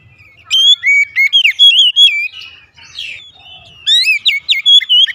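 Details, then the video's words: Morning song of a white-rumped shama: loud, clear whistled phrases with rising and falling slurs, a brief quieter pause midway, then another rapid run of fluting notes. "TERAPI OCEHAN KACER DI PAGI HARI"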